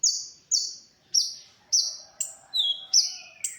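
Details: Olive-backed sunbird, called konin, in a tutor recording for songbirds: spaced, shrill, high notes that tail off downward, followed by a lower drawn-out slurred whistle.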